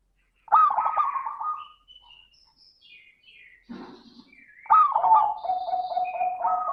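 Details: Zebra dove song in the 'crystal' style, played as a lure for other doves: a burst of rolling coos, then a quieter pause with thin high whistles from another bird, then a long bubbling, trilled coo phrase.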